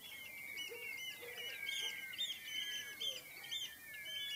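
Common redshank: overlapping, high, piping notes from several birds, repeated rapidly and continuously, with faint lower calls underneath.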